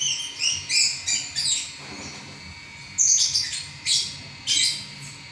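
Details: Champion lovebird singing non-stop in a long chattering bout: sharp high chirps and squeaky notes in quick bursts of varying pitch, with brief pauses between phrases and a faint steady hum underneath.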